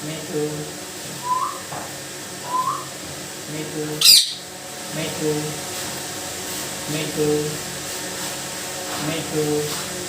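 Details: Pet talking parakeet indoors, imitating speech: short voiced phrases repeated about every two seconds, broken once by a sharp squawk, over a steady room hum.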